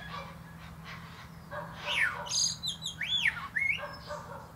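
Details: Singing common blackbird perched atop a plum tree: rich fluted notes sweeping up and down, ending in high squeaky chattering trills, with quieter distant bird notes and a low hum behind.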